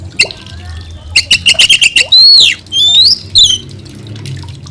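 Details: White-rumped shama, singing vigorously (gacor): loud, varied clear whistles, a run of quick repeated high notes, then long slurred rising and falling whistled phrases, with a faint low hum beneath.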